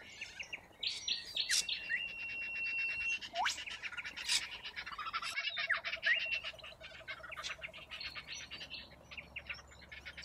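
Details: Corellas in a large flock feeding from root grass in Australia, giving a dense, continuous chatter of raspy screeches and sharp squawks, with drawn-out whistles and many birds calling at once.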